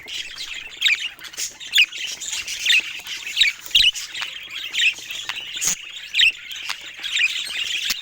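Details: Pet budgies at play with toys: loud, scratchy squawking chirps repeated roughly once a second over a soft bed of quieter warbling from other birds in the background.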